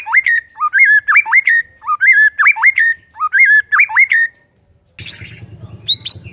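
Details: Lure recording of white-rumped shama song meant to make silent shamas sing: a clear whistled rising-then-falling phrase repeated about four times, followed by harsher scratchy notes over low hum.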